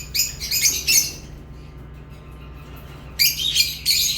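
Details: Lovebirds chirping: a burst of harsh, high squawky chirps, a silent gap of about two seconds, then another noisy burst, over a low hum.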